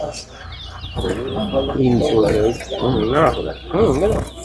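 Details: A towa towa bird sings rich, wavering, warbled phrases, low to mid in pitch, repeated about once a second over steady hiss, during a singing competition at Lusignan bird ground.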